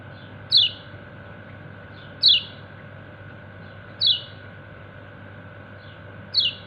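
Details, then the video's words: Kecial kuning white-eye calling its companions: sharp high descending "ciak" notes, four spaced about every two seconds, over a steady low hum. "Burung Kecial kuning ciak ciak manggil temennya"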